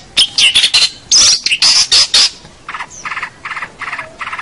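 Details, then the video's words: Long-tailed shrike (cendet or pentet), a training recording for local birds. It opens with loud, grating, high chattering bursts, then a softer string of evenly spaced, nasal, stacked chatter notes repeated about twice a second. "suara cendet pentet gacor"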